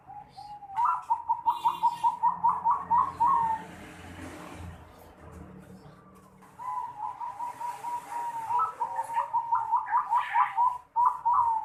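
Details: Zebra dove with an unusual "noklak" voice, recorded 11 December 2020: two bouts of fast, bubbling, repeated coos, each ending in a longer note, with a quiet gap between them.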